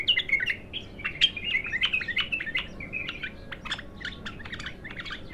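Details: Bulbul known as Abtar, untrained, singing for the first time: a steady, rapid series of short, clear whistled notes and slurs, many repeated in quick succession.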